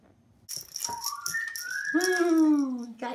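A chestnut-fronted macaw gives dry clicking rattles, then a drawn-out, nasal, slowly falling tone lasting about a second, in a small indoor room.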